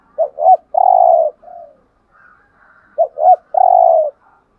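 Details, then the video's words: Two full spotted dove phrases in the 'hạp bổi' voice for rousing caged males. Each has two quick looping coos and a drawn-out vibrating note, with a soft trailing coo after the first. There is a faint higher twitter between phrases. "Tiếng Cu Gáy Giọng Hạp BổI ĐỦ BÀI { GÁY GỌI,THÚC,GÙ } Kích Bổi Nhanh Nổi"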